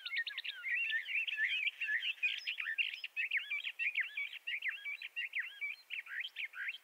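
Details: Sustained song of a Bendire's thrasher, a southwestern United States and northwestern Mexico species: a hurried, musical jumble of warbled and twangy notes pouring out almost without pause, sweeping up and down.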